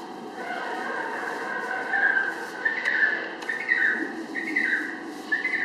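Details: Emperor penguin chick, 40 days old and 2.79 kg, at Adventure World during hand-feeding, giving high, wavering whistled calls in drawn-out phrases; King penguin chicks call in the background over a steady hum.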